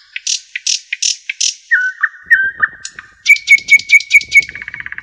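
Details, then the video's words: Common nightingale singing in spring beneath the walls of an ancient monastery, heard in the evening while a golden retriever listens. Loud, rich phrases: a run of full repeated notes, then lower drawn-out whistles, then a fast, ringing series of repeated notes. "the Nightingale singing"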